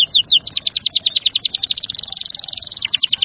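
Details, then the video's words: Canary song for stimulating young, stalled or lazy canaries to sing: evenly spaced short whistled notes quickening into a dense, almost continuous trill, then slowing slightly. "TERAPI KENARI PALING AMPUH AGAR CEPAT GACOR | kenari paud kenari macet kenari malas bunyi ikut NYAUT"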